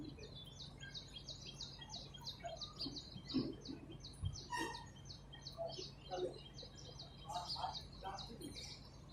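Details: Springtime chorus of wild songbirds outdoors, many high, quick chirps stacked in fast runs, with some lower twittering notes from other birds and a faint steady hum underneath.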